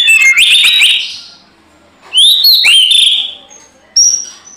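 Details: White-rumped shama (murai batu) in energetic fighting song: a harsh noisy burst, then loud whistled notes sliding and swooping, and a final high clear whistle after short pauses.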